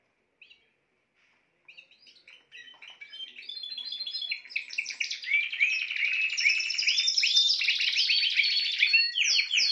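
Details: Spanish timbrado canary singing: a few isolated high chirps at first, then from about two seconds the song swells into a dense, continuous run of rapid trills and rolling notes that grows steadily louder.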